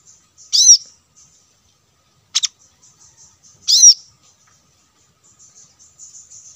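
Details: Plain-throated sunbird lure recording for wild birds: two short, high, ringing chirps about three seconds apart, a sharp click between them, and faint thin ticking notes in the background.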